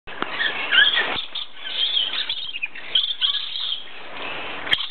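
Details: Two red-phase dusky lories give shrill, scratchy chattering calls in irregular bursts, with a few sharper squeaks and soft clicks scattered through.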